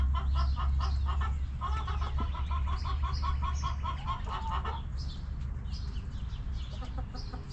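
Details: Backyard hens cluck in quick, rhythmic bursts for about five seconds, then fall quiet, leaving soft background chirping from small wild birds.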